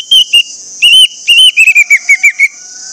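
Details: Orange-headed thrush singing to draw other orange-headed thrushes into song: loud whistled notes, then a quick descending series of short, slurred whistles, with a constant shrill buzzing drone behind.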